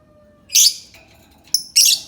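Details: Lovebird making two loud, high, rasping squeaks about a second apart, with a short thin chirp between them, against a faint steady hum.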